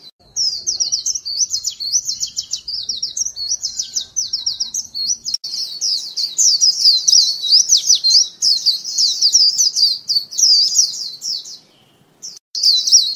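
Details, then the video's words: White-eye used as a lure, giving a long, almost unbroken stream of high, fast, jumbled chirping warbles that swell and fade in loudness, with only brief breaks near the end. "Tiếng chim vành khuyên mồi"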